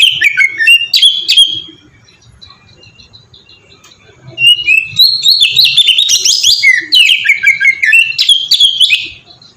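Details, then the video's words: Ngeplong song of an oriental magpie-robin, used to make other magpie-robins sing: brief high twitters, a long near-silent pause, then an energetic stretch of rapid, rising and falling whistled phrases. "suara burung kacer ngeplong merdu sangat ampuh buat pancingan kacer bahan bikin cepat gacor"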